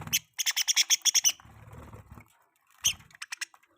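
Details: Budgie mating sounds: a quick series of about ten evenly spaced, sharp metallic chirps, a quiet soft chatter, then a loud chirp followed by a fading run of smaller clicks.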